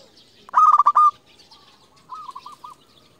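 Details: A local zebra dove used to call rivals gives one loud, fast rolling coo burst, answered by a softer, slower string of four coos.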